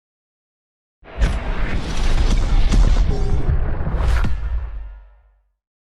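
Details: After a second of silence, a deep booming whoosh swells for about four seconds and then fades, with no animal voice.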